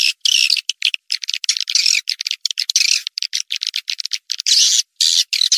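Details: Swiftlet calls played to lure swiftlets: dense bursts of high, squeaky chirping twitters broken by short gaps, all high-pitched with no low sound.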